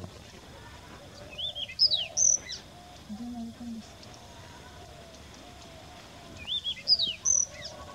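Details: Young Chinese Rubythroat, sex uncertain, singing in Deobali Jalah: two short bursts of bright, high, scratchy whistled notes, falling and rising, about five seconds apart, over a low steady background hiss.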